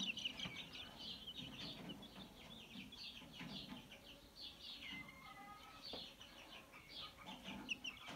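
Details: Mixed-breed chicks, 22 January 2022, near a rooster: scattered high chirps come in short bursts, one drawn-out whistled note appears midway, and there are low muffled clucks and rustles.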